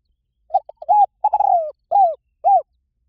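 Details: Spotted dove calling: a few short clipped coos, then a longer drawn-out coo that slurs downward, and two rounded arching coos, spaced about half a second apart against a quiet, clean background.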